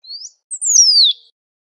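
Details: Great pampa finch in nature giving one phrase: a thin upslurred note, a quick high note, then a drawn-out, high, descending whistle; quiet background.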